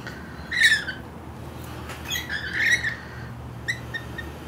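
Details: Four local lorikeets on a windowsill in the evening, two resting while two try to bully them away: harsh screechy squawks, a pair spaced about two seconds apart and a shorter one later, over constant traffic hum.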